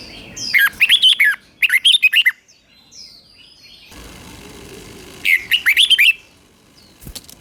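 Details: Caged red-whiskered bulbul in Thailand, southern master-style song used to excite other caged birds and teach young birds: three bursts of rapid, bright warbled phrases of five to six notes, separated by pauses, with a soft hiss between.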